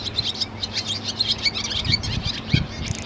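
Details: Barn swallow, a bird of open countryside, singing a fast, continuous twitter of high, liquid chirps and clicking notes with quick rolling trills, over a low background rumble.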